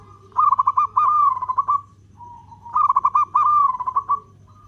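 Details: Local zebra dove in strong voice giving long cooing used as a lure: two long phrases of stuttering pulsed coos, each flowing into a smooth wavering sustained tone, with a low constant hum underneath.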